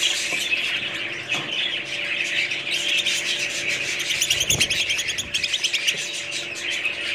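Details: Budgerigars, described as parrots, chattering together in a dense flock: continuous high warbling and chirping with rapid trilled notes, overlapping voices throughout, a brief louder burst of quick repeated chirps near the middle.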